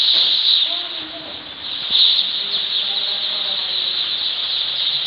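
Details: Baby chickens just after hatching, on day one at a poultry farm. A crowd of chicks keeps up a steady, high-pitched peeping chorus. Faint low voices of people murmur underneath, and a sharp click sounds near the two-second mark.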